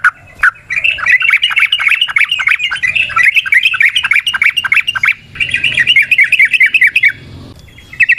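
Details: Yellow-vented bulbul singing energetically in the wild, a long rapid 'ropel panjang' song used as a lure to stimulate other birds: fast bubbly chattering notes around mid-pitch, tumbling in quick runs with one brief pause, faint background hum.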